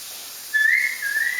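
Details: A one-year-old pet Solomon Island eclectus parrot whistles clearly for about a second, rising slightly and then holding a steady pitch, with a brief dip partway through.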